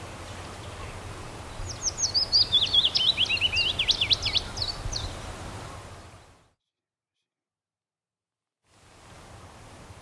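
Willow warbler singing one soft, sweet phrase of quick whistled notes that slides gently downward over about four seconds, over a low background rumble.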